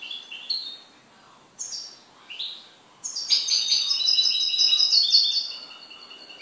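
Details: A goldfinch kept at home starts with a few separate, sharp slurred notes, then launches into a long, fast, jingling twitter with buzzy trills.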